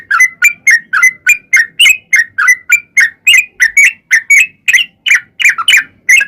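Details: Sooty-headed bulbul recording used as a lure to set other bulbuls singing: a steady string of short, sharp chirped notes, about three each second, some with a rising or falling twist, continuing without a break.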